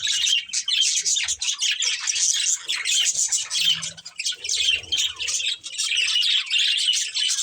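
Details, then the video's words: Several budgerigars from a family group keep up a nonstop high, scratchy warble with chirps layered over each other, plus soft low bumps in the background. "Cute Budgies Chirping Sounds"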